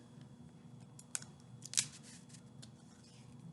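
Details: Sparse snipping and clicking noises in a small room over a faint steady hum; no animal calls present.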